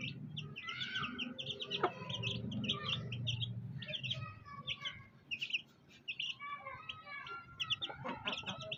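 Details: Black hen with fighter chicks; scattered high peeps and short chirps from several chicks, busiest at the start and end, with a brief pause near the middle over low background rumble.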